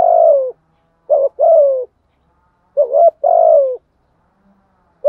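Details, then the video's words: Decoy spotted dove urged into steady cooing, kept for trapping wild doves with the decoy method. Low, hoarse coos, each a short clipped note followed by a longer note that slides gently downward, repeated about every one and a half seconds in clean silence. "Chim cu gáy mồi thúc gù bài bản, dùng kích bổi rất là hiệu quả"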